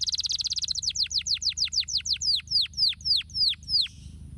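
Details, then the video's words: Canary singing to get lazy canaries going: a rapid high rattling trill that slows into clear, downward-swooping whistled notes repeated about four times a second, ending with a soft hiss. "zeer snel en effectief het fluiten van luie kanaries!"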